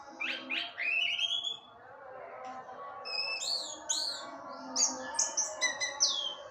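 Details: Orange-headed thrush kept on a porch, singing to provoke other orange-headed thrushes: varied clear whistled phrases, some rising and slurred, then a run of short bright notes at the end, with a steady low hum behind.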